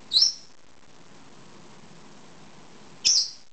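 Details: Pet lovebird, a two-year-old female, seeking a head scratch: two short, high, piercing chirps about three seconds apart, each sliding down slightly.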